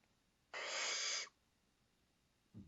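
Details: A barn owl, recorded May 27, 2012, gives one harsh, hissing screech under a second long, then quiet and a short low thump at the very end.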